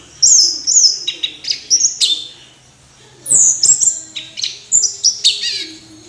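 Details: Orange-headed thrush in two bursts of song, each a string of high slurred whistles and quick chattering notes, separated by a short pause.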